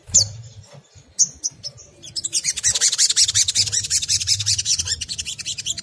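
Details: Crimson sunbird in ngriwik kemrecek style, used as a lure for other sunbirds to sing: a few spaced high chips, then a dense, fast, shrill chattering run of notes lasting several seconds.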